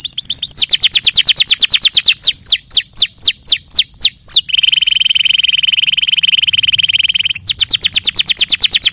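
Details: Canary in full song, rapid chattering notes leading into a string of down-slurred whistles, then a three-second buzzing trill and more fast chatter.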